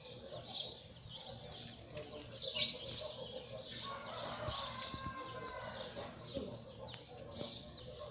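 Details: Double-collared seedeater song, high sharp chirps and twitters repeated roughly every half second, with a few faint lower whistled tones midway and a low rumbling background.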